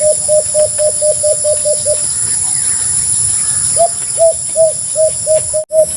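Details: A white-eared brown dove delivers a fast train of nine short, low hooting notes, falls silent for about two seconds, then resumes with spaced hoots that quicken again; faint hiss throughout.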